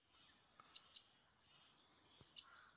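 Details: Pet grey-headed goldfinch kept in the town of Istaravshan, giving short bursts of very high, bright twittering notes with brief pauses between, in a quiet room.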